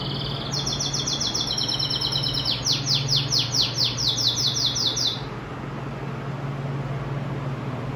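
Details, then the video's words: Pintagol, a goldfinch-canary hybrid, singing like a Belgian canary: about five seconds of rapid, high, sweet trilled tours, each run of repeated notes shifting to a new pitch, then stopping abruptly, leaving a steady low hum. "Pintagol-cantando igual a canário belga"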